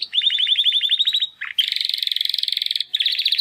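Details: Timbrado canary, one of two young captive brothers from the second 2020 breeding round, attempting song after first molt: rapid rolling trill, brief dip, then a dense rattling trill and another trill after a short break.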